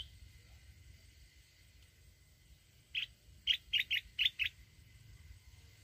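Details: Mountain red-whiskered bulbul in wild-voiced song used to provoke decoy birds: one whistled note, then five quick bright notes in a rapid even series, against a quiet hissing background.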